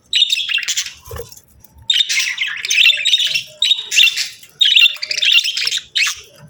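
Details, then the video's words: Budgies chatter in rapid scratchy bursts, each lasting about half a second to a second, separated by short gaps; harsh, buzzy squawks mixed with warbling notes, high-pitched throughout, plus faint low knocks. "Sweet Budgie Chirping Sounds"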